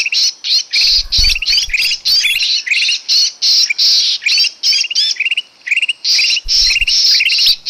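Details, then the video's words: Lure call of a sooty-headed bulbul, used to attract small birds into traps. A fast, scratchy chatter repeats nearly three times per second with little pause, and faint low knocks sound twice. "suara pikat burung kutilang emas paling ampuh"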